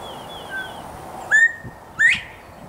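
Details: Male northern bobwhite calling loudly from a nearby tree in Texas, during a whistled back-and-forth with a person: a two-part whistle, a slurred note followed by a sharply rising note, over soft outdoor background noise.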